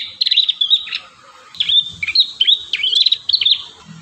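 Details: High, busy song of an Ashy tailorbird (prenjak kepala merah): repeated sharp chip notes mixed with quick rattling trills, delivered almost without pause over faint low background rumble.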